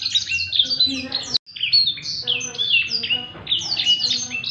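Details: Captive Blackthroat in lively 'gacor ngerek' song meant for tutoring young birds: quick bursts of thin, high whistled notes and downslurred chips, with one abrupt silent break partway through.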